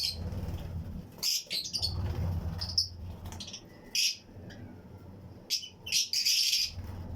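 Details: Fischer's and Lutino lovebirds in a flight-cage colony aviary: scattered sharp, piercing chirps in short clusters separated by pauses, against a steady low hum.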